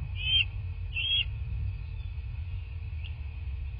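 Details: At a bald eagle nest in southwest Florida, on the morning of 15 March 2024, two short, high, squealing whistles come early on, then a faint chip. A constant high hum and low background rumble are also heard.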